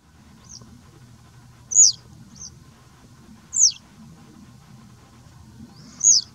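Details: Citrine wagtail recorded at Taglio di Po (RO) on 2 May 2021: three loud, high, thin calls that slide downward, spaced about two seconds apart, with fainter short notes between and a low steady hum behind.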